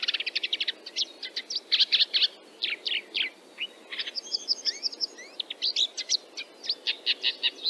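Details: A Red-backed Shrike (Lanius collurio) from Central Russia gives a fast, scratchy, almost continuous run of varied chattering notes, some clicking and some thin and whistled, over a quiet background.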